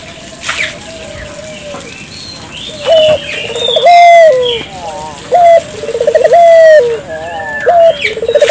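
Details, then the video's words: Dove calling vigorously, used to prompt local doves to call too. It gives low cooing phrases: a short clipped note, a rapid stuttering trill and a long level coo, with chirps and twitters from other birds behind. "suara burung puter gacor,merangsang burung puter lokal ikut gacor"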